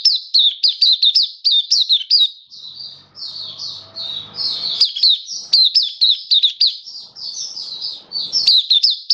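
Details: Recorded 27 October 2022, a caged Oriental white-eye delivers a lively, unbroken chatter of thin, high whistled chirps, fast and slightly jerky, with faint low background sounds in places.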